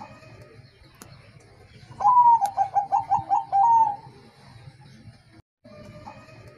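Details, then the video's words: Bangkok-type zebra dove replying to a lure, giving one cooing phrase: a long opening coo, a rapid string of short rolling coos and a drawn-out closing note, over faint low hum and quiet background. "Pancingan Perkutut Bangkok mben Pada Nyaut"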